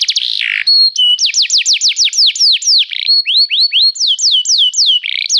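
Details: Restless canary song starting with a harsh buzzy phrase, then a sequence of loud, evenly spaced high down-swept whistles, a short level tone, and a closing buzz.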